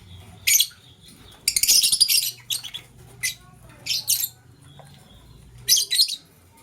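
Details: Caged lovebirds in the morning, a blue one scrambling for vegetables while a green one chirps: four harsh, shrill, buzzy chirp bursts spaced about a second apart, with a faint low hum underneath.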